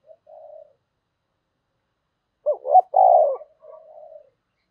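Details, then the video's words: Decoy spotted dove calling, 'thúc' and 'gáy gọi' coos. After a faint soft note comes a quick pair of hooked notes, a long loud rolling coo, and a trailing quieter wavering tail. "Chim Cu Mồi Thúc Và Gáy Gọi"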